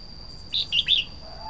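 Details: Red-whiskered bulbul singing: three loud, quick warbled notes, bright and slurred, run together in under half a second, with a steady high electronic whine behind them.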